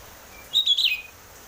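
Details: Oriental magpie-robin in lure song of the 'ngeplong' style, meant to make birds sing quickly: a single brief, rich whistled warble lasting about half a second.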